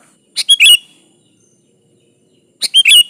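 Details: Energetic sooty-headed bulbul song used to call up a rival: two crisp phrases of three rapid chirpy notes, the last note bending down, spaced just over two seconds apart.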